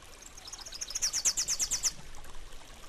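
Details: Rufous-capped warbler singing: a quick, high series of about eight sharp, evenly spaced notes lasting about a second, slightly falling, over a steady rush of flowing water.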